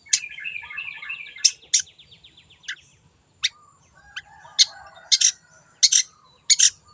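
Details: Long-tailed shrike, a wild bird, in a lure recording: a fast run of twittering, mimicked notes in the first three seconds, then harsh broadband rasping notes repeated at uneven intervals.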